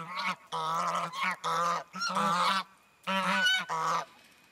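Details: Four rescued geese, newly arrived at a sanctuary in February 2012, honk excitedly while exploring a large pond and pasture: loud, nasal, overlapping honks in quick bursts separated by short pauses.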